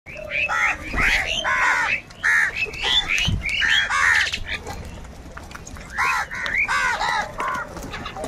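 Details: A large number of crows calling and crying, said to be fighting for food: harsh, harmonic caws overlap in rapid bursts, several per second, from many birds at once, with short gaps near two and five seconds.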